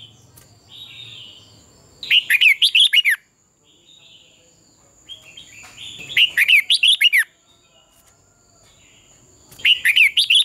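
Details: Red-whiskered bulbul in competitive singing, a lure recording to spur dawn song: three dense phrases of rapid, jumbled whistled notes about every four seconds, with a soft low hum and a buzzy note before the first, and a constant high whine.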